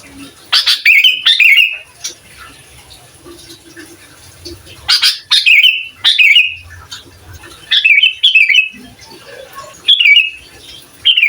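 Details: Sooty-headed bulbul, a lively singer used to provoke other bulbuls, delivers bubbly, rising-and-falling whistled phrases about every two seconds, with soft background rustling and faint low noise between phrases.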